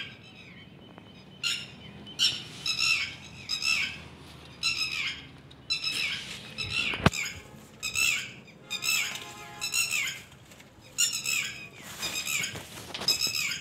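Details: Red-wattled lapwing with her chicks and egg, in hot sun, giving loud, strident, repeated calls in quick rhythmic bursts.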